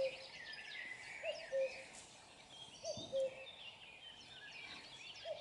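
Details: A nearby common cuckoo sounds its low, falling two-note cu-coo twice, a third call starting at the end, against a steady chorus of higher-pitched birdsong.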